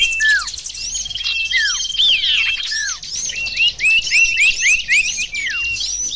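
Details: Lure recording of sirtu birds: busy overlapping high chirps and bright whistles sliding steeply downward, with a brief sweeping flurry midway and thin steady high tones behind.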